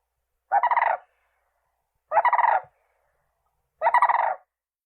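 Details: Crane producing three rattling, rolling trumpet calls, each about half a second long, spaced roughly one and a half seconds apart in silence.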